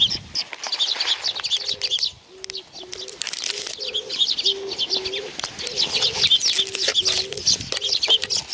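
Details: Sparrows flock in for food at Tenmangu, Nakanoshima, 7 June 2020. Constant high chirping chatter runs throughout, over a row of low, even pigeon coos.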